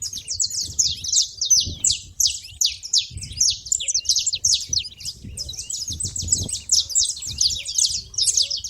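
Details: Saffron finches calling at a feeder: a dense, continuous chatter of sharp, high, downslurred chirps overlapping without pause, with a faint low rumble underneath.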